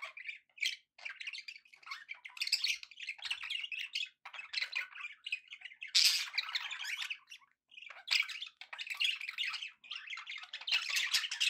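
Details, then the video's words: Happy pet budgerigars chattering: a dense, continuous warble of scratchy, buzzy chirps and squeaky twitters, bursts overlapping with short pauses, louder surges near the middle and end. "happy budgie sounds"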